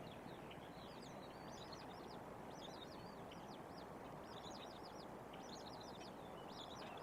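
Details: Bald eagle at a nest with eaglets near Trempealeau, Wisconsin, on a windy 14 April 2025, probably the mother vocalizing in the background: high, thin, chittering notes in quick bursts about every second, over steady rushing wind.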